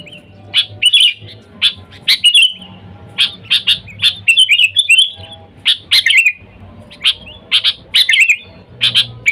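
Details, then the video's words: A sooty-headed bulbul calling out to wild companions, used as a lure. Sharp chirps alternate with liquid whistled warbles in lively, uneven bursts throughout. Faint low hum underneath. "Suara Dasar Burung Kutilang Gacor Memanggil TEMAN LIAR, Suara Bagus untuk pikat Kutilang & pancingan"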